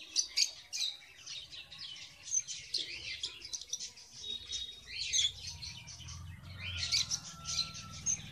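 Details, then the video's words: Captive red avadavats (strawberry finches) nest-building in a cage in February, the male not yet in red plumage, keep up a busy stream of high, thin, overlapping, irregular chirps and tweets over faint low rumbling. "How to breed (Red Avadavat) Strawberry finch in cage"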